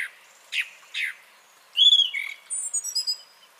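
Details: Song thrush song, 30 January 2021: two brief scratchy notes, then a loud fluty whistle followed by a string of quick high thin phrases.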